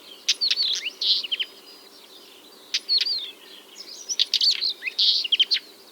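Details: Northern wheatear singing in June 2023 near the Pogorelovsky quarry, Ryazan Oblast, in nesting season; rapid scratchy chattering phrases mixed with clicks and brief whistles, delivered in separated bursts of about a second.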